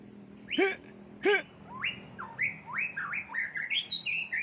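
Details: Caged champion white-rumped shama singing fiercely while set outdoors for airing. Two loud, harsh, arched notes with rich overtones open the phrase, followed by a quick run of rising whistled notes, each slurring upward, growing busier toward the end.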